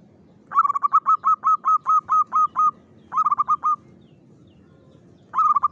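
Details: Local zebra dove song used as a lure sound, in the Mataram rhythm style: three bursts of rapid, even coos, the first of about nine notes, then a shorter run and a fresh burst at the end, over low background hum.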